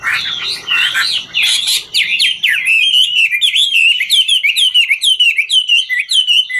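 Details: Chinese hwamei, a ngũ trường style singer, performing while dancing; rich rising and falling whistles open, then give way to a fast series of sharp, looping notes repeated several times a second.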